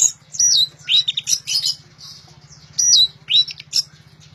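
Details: Orange-headed thrush singing loudly: high, sweet whistled phrases, some sliding downward, in bursts separated by short pauses, over a steady low mechanical hum.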